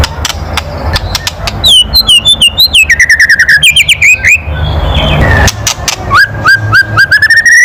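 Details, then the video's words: White-rumped shama with a loud kretekan call meant to stir other birds: scattered clicks, a long rapid chatter of downslurred notes, a brief pause, then an evenly repeated series of short rising chips. "SUARA KRETEKAN MURAI BATU KERAS MEMANCING EMOSI"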